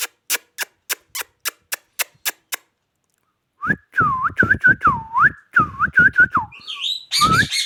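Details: Indian ringneck parakeet at home: a run of sharp evenly spaced clicks, a pause, then a lively series of looping whistled notes that dip and rise, ending in higher chirps and squeaks.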